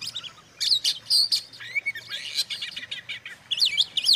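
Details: Oriental magpie-robin singing, intended to anger rival magpie-robins: loud whistled phrases and chirps in irregular bursts, with a soft low hum in the background.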